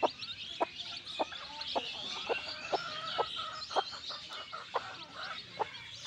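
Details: Baby chicks, newly hatched and kept in a backyard, chirp steadily in a high, overlapping chorus, over a sharp tap repeated about every half second.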